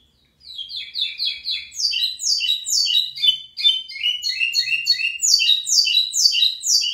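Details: Local lined seedeater, or pico plat, in full song: a long, rapid stream of downslurred buzzy notes stacked in several high bands, pulsing steadily for nearly seven seconds without a break.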